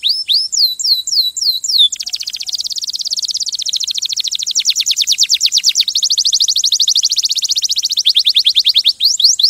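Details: Canary singing a rapid song: a few upward-swept whistled notes, then long fast trills of repeated descending notes that change tempo and pitch between phrases, loud and clear with no other sounds.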